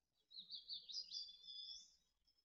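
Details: Mountain chickadee nestlings in a nest in Truckee, in late June 2020, in the final moments before fledging: a high, thin, wavering run of squeaky notes lasting about two seconds, over a faint low rumble.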